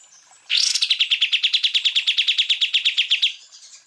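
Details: Greater green leafbird (cucak ijo) masteran recording for training other birds, full tembakan style: after a brief quiet, an abrupt, sustained series of about twenty-five crisp repeated chirps, fast and steady, lasting nearly three seconds.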